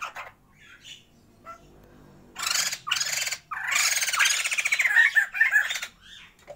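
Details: A captive pair of Sumatran white-crested laughingthrushes kept for breeding gives loud harsh chattering bursts with raspy squawks and a few whistled notes, starting after a quiet opening.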